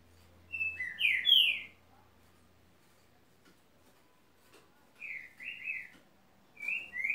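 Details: Green-winged saltator giving three short bursts of clear whistled, slurred notes separated by long silent gaps. A faint low hum runs under the first burst.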